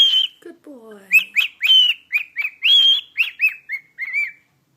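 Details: Pet cockatiel singing "Jingle Bells" to its owner: a run of short whistled notes, mostly arched or slurred, some buzzy, with a few lower gliding tones near the start, delivered in a quick tune-like sequence.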